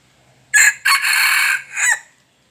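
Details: Wild red junglefowl crowing: a short sharp opening note, a brief break, then a long harsh sustained middle and a clipped falling final syllable, the whole crow lasting about one and a half seconds against a quiet background.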